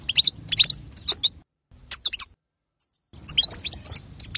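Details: European goldfinch, female chatter played to make a caged male sing: bursts of sharp, high twittering notes in quick clusters, a short pause, then more scattered twitters and a renewed dense run of chirps.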